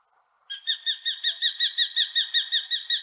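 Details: Common kestrel from Central Russia gives a rapid series of shrill, ringing kee-kee-kee notes, almost three per second for over two seconds, with no other sounds.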